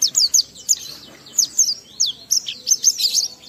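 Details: Oriental white-eye in ngalas mode with riwikan material, played to spur other white-eyes to sing: a steady, fast stream of high, wavering chirps at several notes per second.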